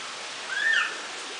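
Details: A female Delacour's crested fireback at Walsrode, Germany gives one brief squeaky note that slides up and falls away, over a steady background hiss.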